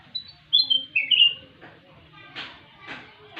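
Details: Sooty-headed bulbul, known locally as kutilang emas, sings a short clear whistled phrase that steps downward over about a second, followed by several soft, broad rustling pulses.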